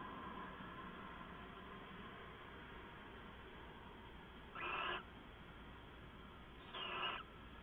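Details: Late-night owl recording, 2 September 2014: two raspy hissed screeches roughly two seconds apart near the end, each about half a second long, preceded by steady room hum.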